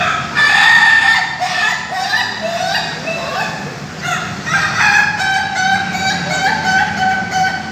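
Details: Ayam Ketawa (laughing chicken) roosters at a caged group practice session of PAKEB Bogor, Indonesia: rapid chains of stacked, ringing syllables in a stuttering 'laughing' crow, repeated roughly three times a second, with overlapping crowing from other roosters.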